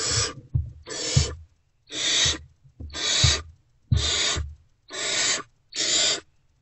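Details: Unfed great horned owlets in a nest box, with both parents absent, react to an adult's return on 3 March 2024 around 5:31–5:40 am. They give harsh, hissing screeches about once a second, over soft thumps and rustling.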